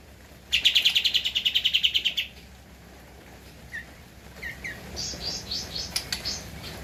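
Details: Javan white-eye, a caged bird, recorded as a master track for training other cage birds: a rapid buzzy trill of about fifteen evenly spaced notes over nearly two seconds, then soft scattered chirps and short high notes.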